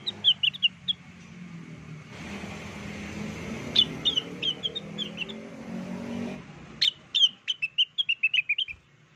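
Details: Blue-winged leafbird singing hard as a lure call: short whistled note runs at the start and end, with a loud burst of broad rumbling noise in between.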